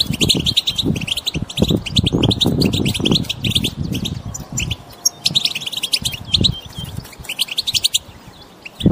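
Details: Group chattering of wild European goldfinches, used to push a mute goldfinch into song: busy bursts of bright, clipped chirps with brief gaps, a few drawn-out twittering notes near the end, and low rumble in the first half.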